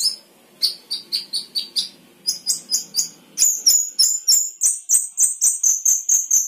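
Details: Gacor isian song of a sooty-headed bulbul: steady series of sharp, high, downslurred whistles, about four per second, growing louder and faster, with crisp clicking notes underneath toward the end.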